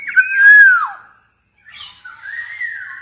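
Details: Black-naped oriole of the Javan golden type in full song. One strong, mellow whistle bends down at its end, then after a pause comes a quieter, wavering whistled phrase.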